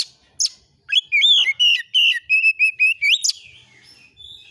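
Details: Oriental magpie-robin (kacer), lure song to provoke replies, 'nembak isian' style: a sharp high note, then a dense series of loud whistles with rising and falling slurs, closing with an upward sweep.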